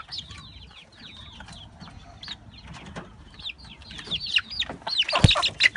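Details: Young Brahma chickens, pullets and chicks kept together: thin, high piping chirps and down-slurred peeps from several birds, fainter at first and then louder toward the end, with a brief flutter and some handling noise.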